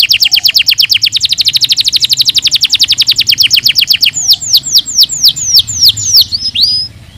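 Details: Canary singing a rapid, dense trill of high buzzy notes for about four seconds, then slowing into separate clear whistles that sweep downward, ending on a drawn-out upward note.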